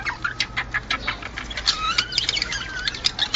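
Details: Budgerigar mating song from males: softer rambling twitter of short chirps and thin whistled slides, some notes rising and falling, over a low background hum.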